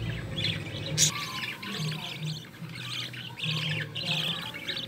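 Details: Budgerigar chicks of a green-line pair, one carrying opaline, in the nest as their mother feeds them; raspy, buzzy chirping bursts come in quick clusters with short pauses, over a low steady hum.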